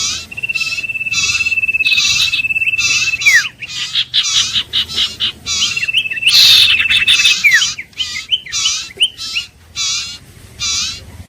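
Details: Iora, called Huýt Cô or Chim Nghệ locally, repeats rapid buzzy rasps. Two long, flat, finely trilled whistles each finish in a falling slur.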